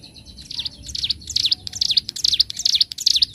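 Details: Bar-winged prinia (ciblek gunung) master recording for training songbirds: fast, high, sharp chirps repeated in close succession, slightly blurred and less distinct against a faint background hiss.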